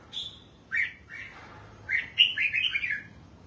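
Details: Caged red-whiskered bulbul kept for singing, bathing and sunning; bright warbled phrases, a high whistled note, then rising and falling slurred notes ending in a quick run of chirpy syllables.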